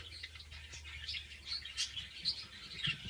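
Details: Several breeding pairs of Antillean siskin (Spinus dominicensis), including males from 2013 and a 2014 male not yet in full colour, giving a dense, high twittering song of quick chirps and thin trills, almost unbroken, over a low steady hum.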